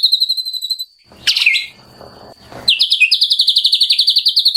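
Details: Wild white-rumped shama singing by a stream in the morning: a high, even trill opens, then a harsh buzzy burst and a short pause, then a fast run of sharp repeated notes, about four per second.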